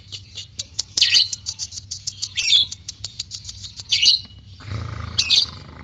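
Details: Lovebird with a white beak giving scattered squeaky chirps and brief chattering bursts, uneven in timing, with a low thump near the end.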